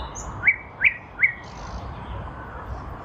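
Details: Three loud upslurred whistled notes from a nightingale in a lilac bush, spring 2023, spaced under half a second apart, followed by quiet background.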